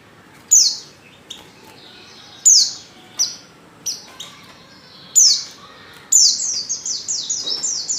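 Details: Female Oriental white-eye call used to lure males into singing: sharp high downslurred chirps in spaced bursts, ending in a rapid run of descending high notes.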